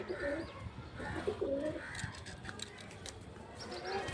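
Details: Pigeons flown in the morning, including racer young and one sitting on an egg, give soft, low, murmuring coos in short rolling phrases, with faint clicks and rustling.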